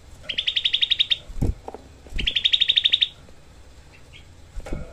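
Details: Grey-bellied bulbul, small songbird used as a training tutor, delivering two tight, rough 'tembakan' volleys of roughly a dozen fast, evenly spaced high notes each, about a second apart, with soft clicks and thumps between.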